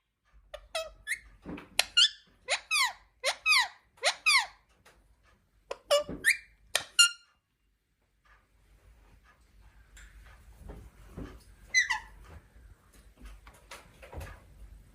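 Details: Pet Indian parrot (rose-ringed parakeet) giving about a dozen sharp, shrill squeaks and screeches in quick bursts, then quieter scattered chatter with one more screech amid faint room noise.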